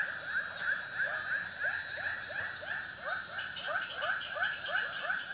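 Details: White-breasted waterhen calls: an unbroken chain of rough, rising notes about three per second, moderately soft. The notes overlap as if from more than one bird, over a steady background hiss.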